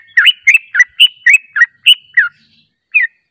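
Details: Short yellow-vented bulbul phrase used to lure birds: eight quick bubbly, twisting whistled notes in a row, then a brief gap and one final note.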